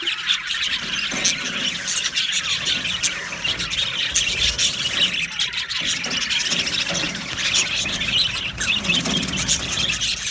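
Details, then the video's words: Happy budgerigars in an aviary colony chirp together, a dense, continuous chatter of high, scratchy warbles and squeaks with brief louder squeals, keeping up steadily for ten seconds. "Amazing Budgies sounds | Budgies chirping sounds | Happy Budgies sounds"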